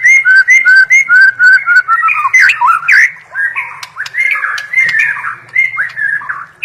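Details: White-rumped shama song of loud paired whistled notes repeated several times, dipping slightly each time, followed by harsher scratchy phrases and more repeated whistles.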